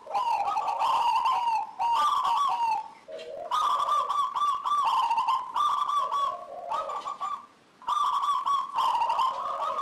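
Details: Local zebra dove (perkutut) in full song, used to prompt other doves to sing: bursts of soft, bubbly, rolling coos about a second and a half long, repeated with brief pauses between them.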